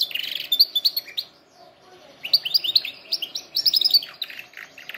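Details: Canary song for training birds: a dense buzzy trill, a short lull, then rapid high chirped phrases repeated in quick bursts.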